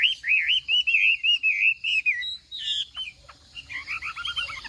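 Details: A Chinese hwamei in singing-contest practice gives a smooth, wavering whistled phrase of linked loops, a harsh buzzy burst, then a run of quick descending double notes.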